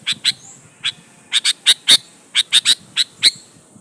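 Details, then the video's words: Sooty-headed bulbul in lively song, used as a lure to provoke other bulbuls into answering; short bright chirped notes in loose pairs and triplets, several with a sharp inflected twist, about eleven notes over four seconds. "suara burung KUTILANG GACOR MENEKAN LAWAN"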